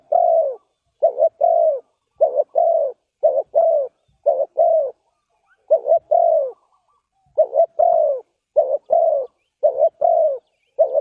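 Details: Spotted dove cooing, tied to bird trapping with decoy calls: low, soft coos in paired and triple phrases, each phrase about a second long, repeated steadily with short pauses, clear and close with no other sounds.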